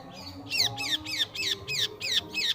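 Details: Cendet, or long-tailed shrike, singing: a repeated slurred note sweeping downward, given roughly three times a second after a brief quiet start, with soft music underneath.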